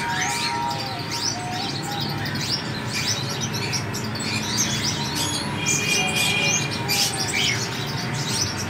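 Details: Kept sunbirds give busy, overlapping high chirps and thin twittering notes, about two per second, with other small birds chattering in the background.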